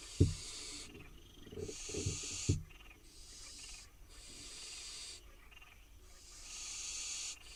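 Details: Barn owl fledglings, wild in Israel and waiting on their nest box for food, repeat breathy hissing rasps of about a second each. Dull knocks and thuds sound early on, likely movement at the box.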